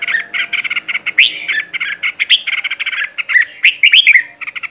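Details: Red-whiskered bulbul kept caged for voice training, giving a fast, continuous stream of rapid chattering and warbled whistles, with faint background chirping from other birds.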